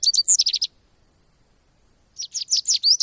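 American goldfinch giving rapid bursts of high, bright twittering chirps, about a dozen quick notes, a pause of over a second, then another twittering run.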